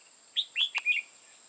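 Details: Red-whiskered bulbul at a trapping site in Hòa Bình, Vietnam, gives one quick phrase of four bright, slurred whistled notes, loud and close, with a faint steady high whine behind.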